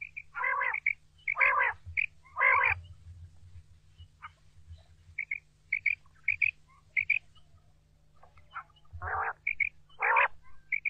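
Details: Quail calling in a recording used for hunting: clusters of harsh, grating bursts, three in quick succession at the start and two more near the end, mixed with short high chirps, all over a steady low hum.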